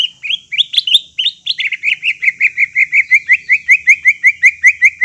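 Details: Greater green leafbird song for stirring a silent bird into singing: a few varied slurred notes, then a steady, fast string of sharp chirps, nearly three each second.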